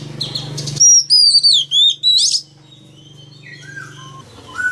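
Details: Loud male Oriental magpie-robin song meant to stir a young wild-caught bird into singing: a short burst of crisp, descending whistles, then softer fading notes over a steady low hum.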